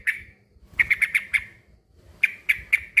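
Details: One sharp chirp, then a run of five, then four evenly spaced notes from a male sooty-headed bulbul calling a rival, with a low background murmur.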